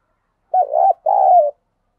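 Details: Spotted dove decoy bird, kept to attract wild doves, giving two low, rolling coos in quick succession, the second longer and steadier, in a quiet setting.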